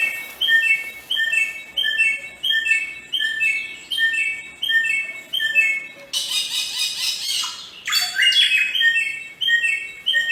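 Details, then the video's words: Wild samyong (Bare-throated Whistler) of Nusa Tenggara, Indonesia, locally garugiwa: short clipped whistled notes repeated about every half second in paired phrases, broken at six seconds by a loud broadband rasping burst, then more repeated notes. "Kicau burung samyong di alam"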